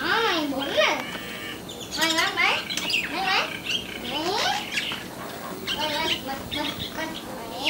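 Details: Sri Lankan mynas visiting a home doorstep, chattering in a busy run of harsh squawks, gurgles and rising and falling whistled notes, tumbling over one another with hardly a pause.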